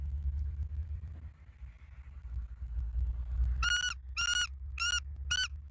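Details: Bald eagles in Southwest Florida, seen on a live nest camera on 18 November 2024 at 03:48; four loud, clear piping notes with a stacked, even tone in the second half, over low rumbling wind noise.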